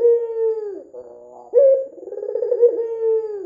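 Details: Red-eyed white dove used to lure other doves into calling: a long held note dropping at its end, a soft murmuring pause, then a sharp onset leading into a vibrating, rolling coo.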